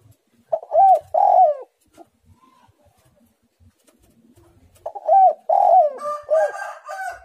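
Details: Very vocal spotted dove cooing in the tight, pressing 'menekan rapat' style: two loud mellow coos close together, a quiet gap with faint knocks, then another run of rich coos trailing into softer harmonic notes.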